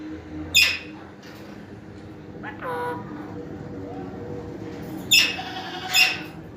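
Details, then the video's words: A gathering of Alexandrine parakeets: harsh, loud screeches in short bursts, a pair near the start and two more near the end, over steady background hum and faint chatter. "BEAUTIFUL PARROTS GATHERING"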